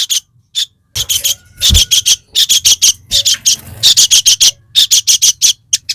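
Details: Aggressive fighter-type calling of a crested jay (sogon), intended to stir rival sogon birds: long series of rapid, evenly spaced harsh rasping notes in quick pulsing bursts, nearly continuous for several seconds.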